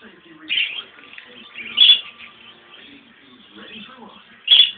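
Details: Two pet English budgerigars (Melopsittacus undulatus), a grey female and a blue male, warble in a soft, scratchy chatter broken by a few sharp, high chirps, singing along to bird sounds played online.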